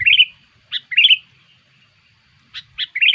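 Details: Lure call of a sooty-headed bulbul for drawing in other bulbuls: rapid liquid chirping phrases, a sharp clipped note then a rolling warble, repeated about once a second with short gaps; clean, quiet background.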